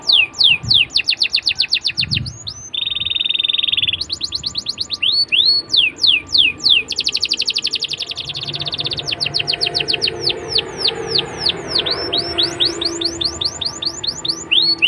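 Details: Canary song used to coax young canaries into singing: long runs of fast, high descending trills, a short harsh buzzy roll, and varied swooping phrases, with a faint low hum beneath.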